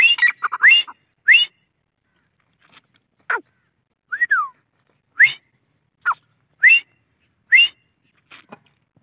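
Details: Grey francolin (Dakhni teetar) giving a fast chattering opening, then a steady run of short, sharply rising whistled notes repeated roughly every second, with one longer arched whistle in the middle.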